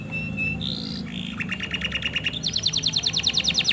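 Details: Singing male canary calling a female to mate: sustained whistles stepping between pitches, then a buzzy rattle that breaks into a fast rhythmic high trill of about three notes per second.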